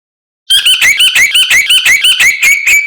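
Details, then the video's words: White-rumped shama in a masteran song noted for melodic variety: a fast run of about twelve bright, slurred whistled notes, each dipping then rising, delivered steadily after a brief silence. "Masteran Murai Batu Paling Dicari Kicaumania Nomor 1"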